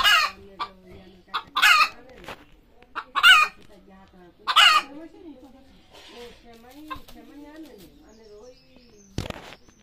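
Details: Chicken squeaking and screaming ahead of egg laying: several harsh, loud squawks in quick succession, then softer wavering clucks and murmurs from the bird, ending with one sharp burst.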